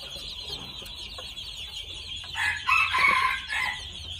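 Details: Red junglefowl, two months old, giving a strained, harsh call of just over a second with bright harmonics near the end, following quieter scattered notes, over constant shrill buzzing in the background.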